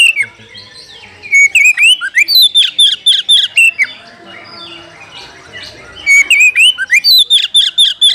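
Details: Oriental magpie-robin calling a fighting opponent, used to heighten aggression: two bursts of rapid, loud slurred whistles about two per second, separated by a few seconds of softer, muffled background sound.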